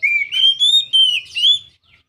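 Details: A young Oriental magpie-robin sings a high, sweet whistled phrase of slurred rising and falling notes, run together for under two seconds, used to prompt other magpie-robins to sing.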